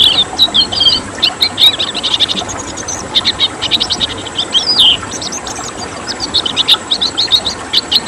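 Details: Red siskin, a rare South American finch of Venezuela and northern Colombia, sings a fast, continuous twittering of high, buzzy trills and chattering notes with brief sweeping whistles, used as a training track for pet birds.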